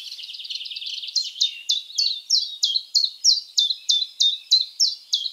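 Common Chiffchaff song: high, bright, downslurred notes repeated about three times a second. It opens with a brief, faster twittering run.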